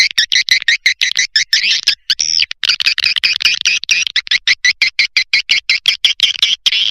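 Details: Lure sound for swiftlets: fast, buzzy high chirps packed in a steady pulsing stream, roughly three per second, with a short break near the two-second mark.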